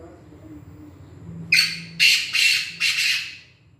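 A Black francolin gives four harsh, grating notes in quick succession after a quiet start, with only faint low background hum.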